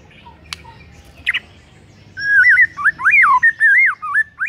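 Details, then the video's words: White-rumped shama song used to stir a rival into singing, heard in the morning: a few faint clicks, then rich warbling whistles that twist up and down for two seconds over a low hum. "5 DETIK DI PAGI HARI SIAP BIKIN MURAI LAWAN AUTO NARUNG & GACOR SEKETIKA"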